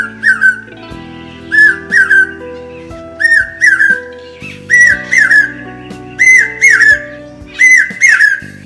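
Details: Common hawk-cuckoo (pawsha/papiha), heard as the rains begin, gives loud, shrill two-part whistles, about seven phrases in nine seconds. The series climbs slightly in pitch, as its whistle runs several times and grows intense at the end, over a steady musical drone.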